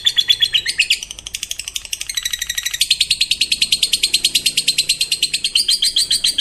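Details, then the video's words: Fighter-type lovebird in long ngekek trilling, a song said to prompt other lovebirds to join in: an unbroken run of rapid, high, rattling pulses, several per second, with slight shifts in tone partway through. "Suara Burung Lovebird FIGHTER Paling Dicari, ngekek panjang bikin Lovebird Lain Ikut Bunyi"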